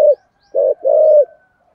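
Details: Spotted dove in the thổ sấm voice style giving one thúc gù phrase: a short hoot, a pause, then a clipped note running into a long level coo.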